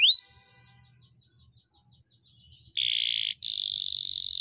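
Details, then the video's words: Canary singing a long rolling tutor song used to train pet birds: one bright rising whistle, a faint stretch, then two loud, dense buzzy bursts, the second higher and steadier. "masteran kenari gacor,gacor (durasi) panjang ngeroll"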